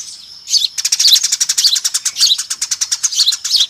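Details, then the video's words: Lure call of a noisy Eurasian tree sparrow flock: after a short lone chirp, a steady stream of bright, high chirps follows, about four to five per second, with many birds overlapping. "SUARA PIKAT BURUNG GEREJA RIBUT"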